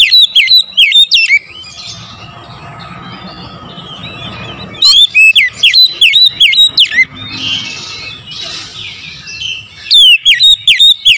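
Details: Oriental magpie-robin morning song for luring: three loud bursts of rapid, slurred whistles, each a rattling string of sweeping notes, with quieter warbling and a low hum between them.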